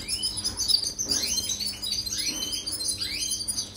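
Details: European goldfinch song meant for training canaries: repeated bright notes that sweep sharply downward, about four sweeps, mixed with thin high twitters over a light hum.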